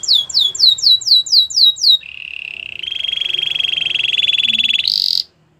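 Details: Spanish Timbrado canary singing: a fast series of repeated downward-sweeping whistled notes, then a steady metallic rolling trill held for about three seconds, ending in a brief higher buzzy note.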